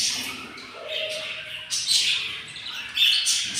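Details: Yellow budgerigar nest with four hatchlings, very hungry, on day 7. Raspy high squawks swell and fade in bursts about every second, with a short soft tone in the middle.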